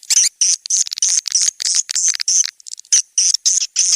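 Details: Swiftlet lure sound of Indonesian origin, an outdoor-type track used at swiftlet houses in Soc Trang and Dak Nong: dense, high, buzzy chirring bursts repeated rapidly, about three per second, with almost no background.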